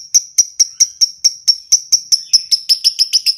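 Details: Lovebird ngetik: crisp high-pitched ticks repeated about four times a second, growing slightly busier and doubled toward the end, with no other sounds.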